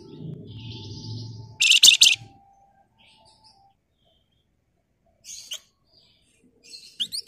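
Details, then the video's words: Flamboyan bird singing in 'nyerecet' style: a loud half-second burst of rapid buzzy chatter, later followed by fainter short chirps and a rising note, after some low humming. "Burung Flamboyan Gacor Emosi Ngebren Rapat Nyerecet"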